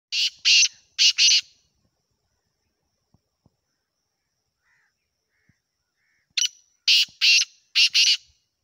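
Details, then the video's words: A Pakistani black francolin gives two bursts of harsh, grating, rhythmic notes, four or five quick rasping syllables each, separated by several seconds of near silence. "Desi Kala Teetar ki Awaz"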